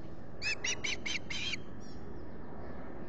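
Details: Osprey squawking at a camera-watched nest at Salt Point in the Finger Lakes, US, on a July 2021 morning: five short, harsh, whistled notes in quick succession, then only faint background hiss.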